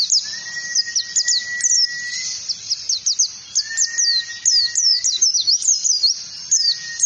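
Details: Oriental white-eye trigger song in ngalas style, meant for teaching other birds. Rapid high chirps slide downward one after another. Long, even, lower-pitched whistles are held for about two seconds at a time, recurring three times.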